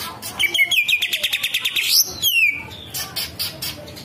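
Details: Green leafbird singing, a rapid trill of short repeated notes rising in pitch, then a sliding whistle and scattered sharp notes over a steady background hum.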